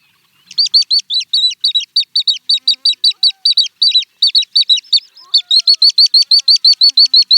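Little stint giving a fast, even series of thin, high, slightly buzzy notes, about four per second, with a brief pause before the run resumes.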